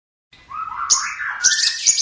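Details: Long-tailed shrike song used as a master recording for training birds: a short silence, then a rising whistled phrase, followed by harsh, hissy high-pitched bursts.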